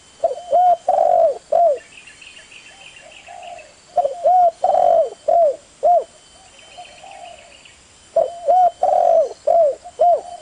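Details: Spotted dove giving three series of rhythmic coos, short hooted notes around a longer central coo, with quieter coos and faint high chirping between the series.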